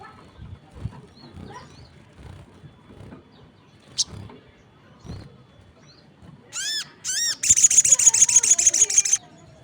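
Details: Crested jay calling with other birds answering. Quiet ticking and faint chips come first, then two harsh buzzy notes, then a fast, steady, mechanical rattle of about a dozen pulses lasting nearly two seconds.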